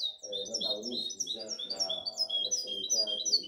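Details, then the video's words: Young European goldfinch hybrid, aged seven months from the 2019–2020 season, pouring out dense, rapid high-pitched chirping and rippling trills over continuous male Arabic conversation. "Mi mixto de jilguero tiene 7 meses de 2019 2020"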